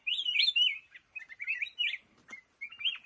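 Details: Black-crested bulbul singing from a bamboo thicket: a loud, rolling, warbled phrase opens, then shorter bubbly slurred notes follow in quick clusters, with one sharp click in the middle.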